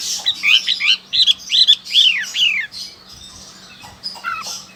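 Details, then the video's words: Loud song of a Chinese hwamei recorded in Sokaraja, Banyumas, Central Java, Indonesia: a quick series of clear downslurred whistled notes, about two to three per second, then quieter scattered notes. "Suara burung whamei"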